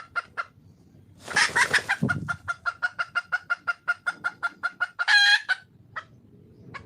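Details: Red junglefowl hen in the wild calling for a male; a long steady train of sharp clucks about four per second, broken by a loud harsh squawk early and a ringing squawk later, with a low thud.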